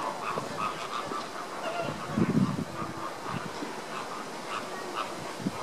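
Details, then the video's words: A flock of Caribbean (American) flamingos in August 2014 keeps up steady, overlapping chatter of short, nasal, goose-like honks, with a louder, lower burst of grunting in the middle. "Caribbean flamingos"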